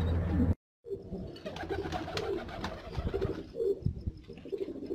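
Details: Pet fantail pigeons, black and white, coo in low rolling bursts after a brief break, with scattered clicks and shuffling sounds in the background.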